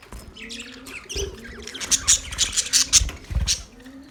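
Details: Male budgerigars chirping, a busy mix of short squawky and chattering notes rising to high pitch, denser and louder in the second half, with soft low murmuring beneath.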